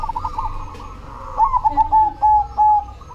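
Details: Cemani zebra dove singing vigorously: a hurried string of stuttered coo notes that settles into three longer, steady, mellow tones toward the end.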